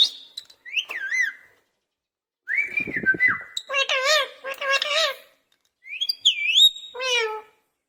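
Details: Indoor caged parrot mimicking a cat's voice: quick whistled slurs, a raspy buzz, then a run of wavering meow-like calls and a swooping whistle, in separated bursts.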